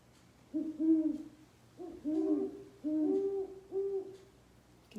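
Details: A pair of great horned owls on Vancouver Island calling back to each other: deep, soft hoots in four short bouts about a second apart, two voices overlapping at slightly different pitches.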